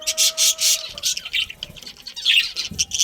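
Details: Budgerigars in a breeding colony chirping loudly in rapid harsh bursts, accompanied early on by a steady thin whistle-like tone.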